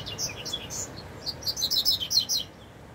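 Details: In the wild, a double-collared seedeater gives a lively high-pitched phrase of quick chirps and short slurred notes, loudest mid-phrase, then fading to quiet hiss.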